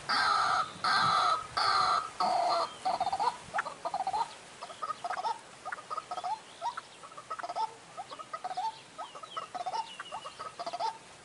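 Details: White-breasted waterhen call used as a trapping lure in the dry season: several loud, nasal, blocky croaks in a steady series that shift into a long run of short, clipped, rising notes spaced under a second apart.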